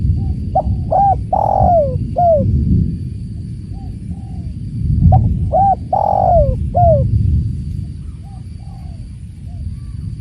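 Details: Spotted dove (tekukur) heard with the sound of water: two mellow cooing phrases, each a short note, a rising coo, a long drawn falling croo and a clipped final coo, over a strong low rushing background.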